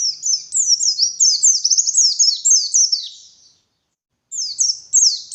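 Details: Morning song of a wild white-eye, used as a lure: a long rapid chatter of high, tumbling, falling notes, a short silent gap, then more quick chirps.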